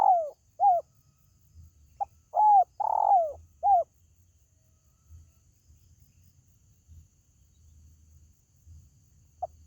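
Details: Spotted dove call used to lure pet birds: short, low, slightly descending coos near 700–800, a few in quick succession then a longer pair, followed by near silence with faint low rumble.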